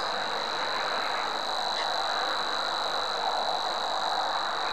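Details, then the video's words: Savi's warbler singing a continuous, even, high-pitched buzzing reel that runs unbroken through the whole stretch, over a broad steady background hiss. "Nádi tücsökmadár"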